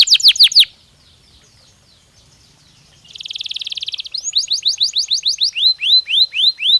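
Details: Stimulating canary song for breeding: a brief burst of quick high notes, a near-silent pause, then a dense buzzy rattle, followed by a run of rapid curved whistled notes that slow into separate looping sweeps.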